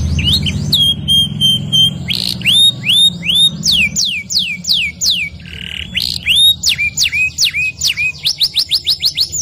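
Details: Varied canary song in the ngerol nembak gacor style. A held flat whistle and a buzzy segment lead into long sweeping whistles. It then speeds into a rapid roll of short descending notes near the end.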